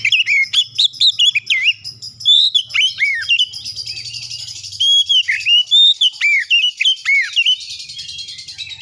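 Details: Oriental magpie-robin singing its clear lure song to rouse silent birds: steady stream of loud swooping whistles and warbles, with a buzzy high background layer and soft low hum.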